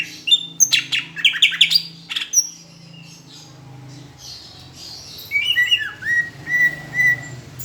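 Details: Greater green leafbird from Palembang in a tutor recording with Asian brown flycatcher imitation: a burst of sharp clicking chirps and whistles, a pause with low humming background, then softer slurred whistles.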